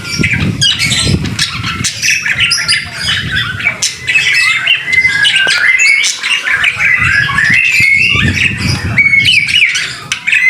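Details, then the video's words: White-rumped shama singing in the rain, recorded as a training song: dense, overlapping bright whistles and chirps, with some notes sliding and warbling, over a steady low rumble of rain and background noise. "BIRD SOUND IN THE RAIN SUPER SPECTACULER / MASTERAN MURAI BATU GACOR"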